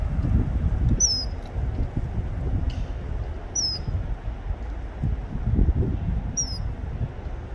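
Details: Male common kingfisher calling its mate: three thin, high, down-slurred whistles at widely spaced intervals, with a faint click between, over continuous low rushing water.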